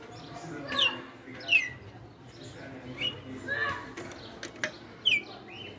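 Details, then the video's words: Caged veteran red-cowled cardinal, kept five years, singing in the açoite style: short sharp whistled notes sliding downward, scattered unevenly through the clip, over a low hum and faint background murmur. "Galo de campina no AÇOITE"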